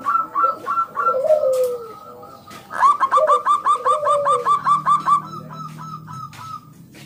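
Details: Local wild zebra dove singing loudly, used as a lure to draw other doves into song: quick series of mellow, clipped cooing notes, bubbling and evenly repeated in two bursts, with softer lower coos between and a faint low hum.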